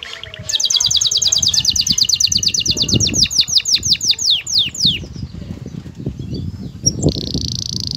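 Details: Excited male canary singing to a female, which takes the mating posture. A fast series of high downslurred notes, with a steady trill near the end and low rustling throughout.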